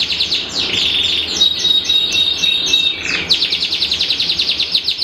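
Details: Iranian-type canary with symmetrical panda plumage, singing a long, loud, high song: rapid repeated trilled phrases, a sustained pure whistle near the middle, then fast rolling notes again.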